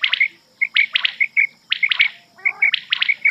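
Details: Rain quail (batair), a night recording used as a hunting lure: clear high chirped notes repeated in quick clusters, with brief pauses between groups, over a faint steady hum.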